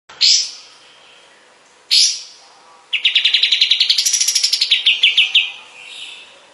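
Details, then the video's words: Kapas tembak bulbul in a master recording for training other songbirds: two sharp high downslurred notes, then a fast buzzy trill of about twenty notes rising in pitch and falling away. "Masteran burung kapas tembak"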